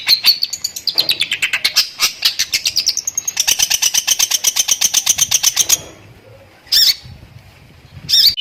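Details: A long-tailed shrike sings a tembakan-style song packed with lovebird imitations: a dense, buzzy, rattling stream of rapid notes that rises and then stops abruptly, followed by two isolated piercing squeaks.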